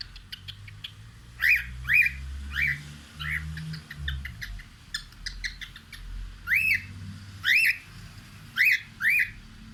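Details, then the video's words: Cockatiel at a window singing: whistled chirps repeated in short bursts, each note arching up and down, with a steady low rumble of indoor background noise underneath. "Bird sings looking out the window"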